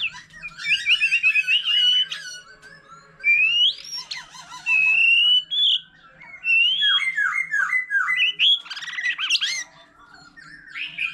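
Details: White-rumped shama, an old wild-caught bird, in long varied solo song beside a laughingthrush: separate whistled phrases, some wavering, some rising, with brief quiet gaps and a fast descending slurred series.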